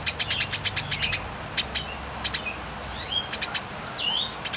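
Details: Fighting Eurasian tree sparrow on a clear tutor recording: a quick run of shrill chirps, then scattered single chirps and thin sweeping notes over a quiet background.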